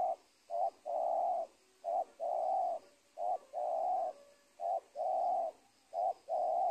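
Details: Spotted dove calling in Indonesia, beside a teak plantation and a former cornfield, during trapping. Six evenly spaced pairs of a brief coo and a long, full coo, delivered continuously.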